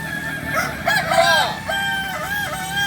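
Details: Kokok Balenggek chickens crowing during a joint training gathering in Ampang Kualo, Kota Solok; arched, stepped crow notes overlap with other roosters over a steady murmur.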